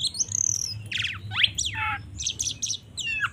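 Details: Oriental magpie-robin in 'ngeplong' fighting song, used as a lure to excite rival magpie-robins: high trilled whistle, harsh buzzy descending notes, then short sharp chirps, with a low hum behind.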